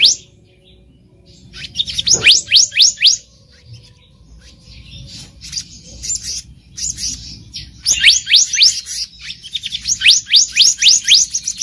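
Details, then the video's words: Wild black-naped monarch, a luring recording: short bursts of fast rising whistled notes at intervals, with quieter scratchy notes between them and a lively run at the end. "SUARA ASLI BURUNG KEHICAP RANTING DI ALAM LIAR"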